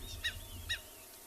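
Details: An African wattled lapwing calling on a 9 November sunrise game drive in Tswalu Kalahari Reserve, South Africa, gives two sharp, shrill notes about half a second apart, over a low rumble of wind or an engine.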